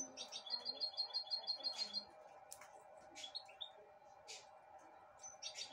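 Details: A pet goldfinch hybrid eating broccoli from a hand twitters high and thin: a quick run of about ten repeated notes, then scattered sharp chirps, with a faint voice in the background.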